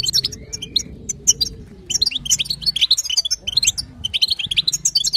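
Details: European goldfinch female chatter, or batbata, to encourage a male's song: bursts of sharp, tinkling twitters separated by brief gaps, one short rising whistle early, over a low continuous drone.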